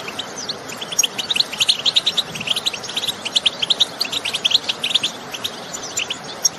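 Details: Countryside goldfinches singing and calling, used to stimulate other goldfinches to sing: a rhythmic, rapid sequence of sharp, bright chirps over a faint steady hiss.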